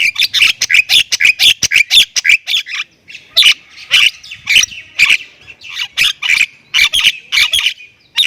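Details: Javan myna from Thailand, known locally as jalak kebo, in lively full 'gacor full isian' song: rapid bursts of harsh, scratchy chattering notes, densely packed, with a brief pause near three seconds before the chatter resumes.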